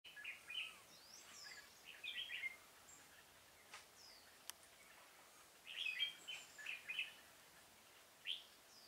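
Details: Red-whiskered bulbul decoy singing during trapping in a pomelo garden on 25 October 2017: short bursts of bright, warbled, chirpy phrases around the middle-high range, spaced irregularly with quiet gaps, over faint background hiss.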